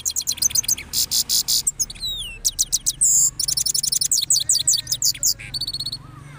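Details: Rolling song of a post-moult cross goldfinch, Parachinar: bright trills and buzzy rattles mixed with long downslurred whistles and fast repeated chirp series, almost unbroken for six seconds.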